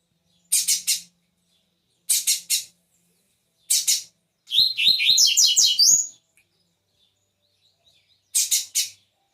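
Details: Caged Double-collared Seedeater singing on its perch: loud buzzy triple notes repeated every couple of seconds, broken midway by a quick warbled phrase of rising and falling whistled notes, on a quiet background.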